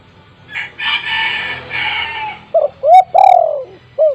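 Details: Loud-voiced spotted dove used as a decoy for wild doves; a harsh, drawn-out raspy sound comes first, then one cooing phrase of a short note, a rising double coo, a long sliding coo and a final soft note.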